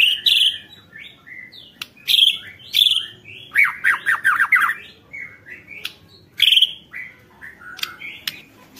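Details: White-rumped shama song played to stir other shamas into singing: varied chattering notes, a burst of loud squawky descending phrases, and sharp chips between.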